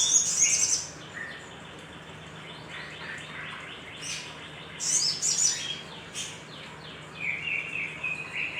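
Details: Lure recording of a lively little spiderhunter aimed at stimulating other birds. Shrill, high chattering bursts open and recur midway, with quick repeated chips and brief lower twitters in between.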